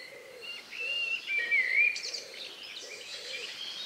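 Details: Countryside birds singing in the evening, just before night, near 9 p.m. on May 2, 2020, captured outdoors on an ORTF pair of condenser microphones. A clear whistled, slightly wavering phrase stands out, with thin high chirps and a low hollow note repeating roughly every half second beneath.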